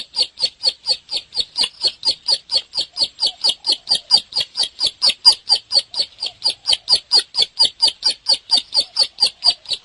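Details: Bar-winged prinia, locally called ciblek, singing vigorously (gacor): a rapid, steady run of sharp, high chipping notes, about three to four each second, repeated evenly throughout with no other clear sounds.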